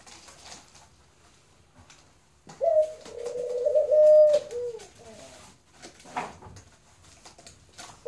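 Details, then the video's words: A dove gives one long, steady, mid-pitched coo lasting about three seconds, slightly wavering and gently tremulous, between quiet stretches with faint clicks and tapping. "Singing Dove"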